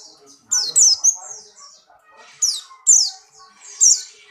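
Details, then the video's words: Caged Buxtoni white-eye in breeding condition, jumping about actively, gives loud, high, downward-sweeping chirps in short bursts, separated by pauses of about a second, with faint low murmuring in the background. "burung pleci Buxtoni birahi kencang loncat indah nembak"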